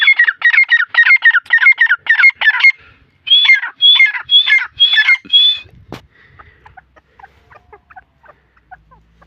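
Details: Grey francolin, locally dakni teetar, Taunsa, chicks mentioned: a fast series of about fifteen sharp, ringing whistled notes with a brief break midway, then a loud crack and several seconds of soft, scattered chirps.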